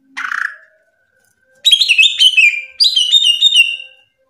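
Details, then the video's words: Greater green leafbird song meant as tutoring for young birds: one harsh rasping note, a pause, then two quick bursts of high descending whistled chirps. "SUARA CUCAK IJO NGRPLONG GACOR"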